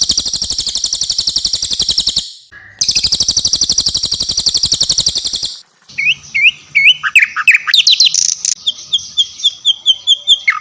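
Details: Javan white-eye and mugimaki flycatcher song mixed as training material for songbirds: two long, fast, buzzy trills separated by a short gap, followed by varied slurred whistles and sharp repeated chirps.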